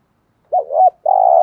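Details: Spotted dove giving a thúc gù lure coo, used to draw wild doves into answering: two short low hooting notes, then a steady, longer coo held to the end.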